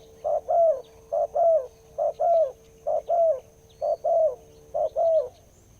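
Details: Wild spotted dove prized for its deep voice, delivering regular two-part coos, a short note then a longer downslurred note, about once a second, with a steady low tone and faint high hum behind.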